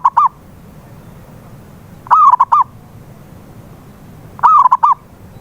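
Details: Zebra dove lure call meant to get a mute dove singing; three brief rolling coo phrases, each a rapid cluster of mellow notes, spaced about two seconds apart against faint low-pitched background noise.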